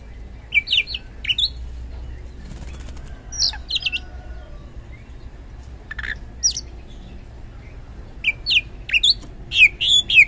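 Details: Lure recording of an oriental magpie-robin in loud 'gacor ngeplong' singing, meant to make lazy magpie-robins respond: short bursts of bright whistled and chattering notes separated by pauses of several seconds.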